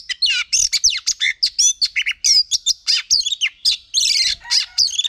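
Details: Female oriental magpie-robin singing to stimulate males: a fast, unbroken run of varied high notes, including sweeping whistles, rapid trills and harsh chips, delivered in short bursts several times per second.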